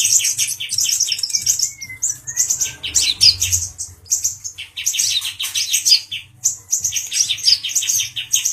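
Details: Excited male Brown-throated Sunbird taunting a Grey-cheeked Bulbul, pouring out fast, high, scratchy twitters in long runs broken by short gaps, with a few thin sliding whistles early on and a faint low hum.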